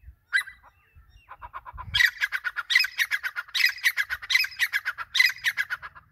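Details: Grey francolin, known locally as teetar, Dakhani teetar or Irani teetar, calling: a few harsh squeaky notes, then a loud grating series of clustered pulses, with strident phrases repeated about every three quarters of a second.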